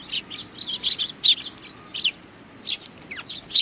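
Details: Several sparrows chatter at a Tenmangu shrine, recorded 4 July 2019, with dense, rapid, high-pitched chirps and tweets overlapping in quick succession, a brief pause, then more sharp chirps including a short descending note.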